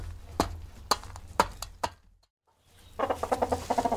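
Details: Chickens eating: four sharp, dry pecking taps about half a second apart, a brief hush, then a quick run of soft, throaty clucks.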